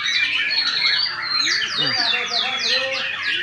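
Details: White-rumped shama in loud, full-voiced song: a dense, unbroken torrent of varied whistles, downslurred notes and quick trills layered over one another, with no pauses.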